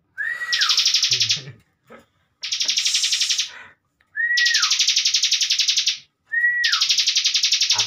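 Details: Caged bar-winged prinia used as a master song for training young contest birds: each phrase opens with a short whistled slur dropping in pitch, then a loud, rapid, buzzy pulsed trill lasting about a second, repeated four times with pauses.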